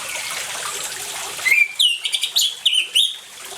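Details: Trickling water gives way to an orange-headed thrush's brief burst of song, part of a lure to get silent birds singing: several clear, high, slurred whistles in quick succession, then water again.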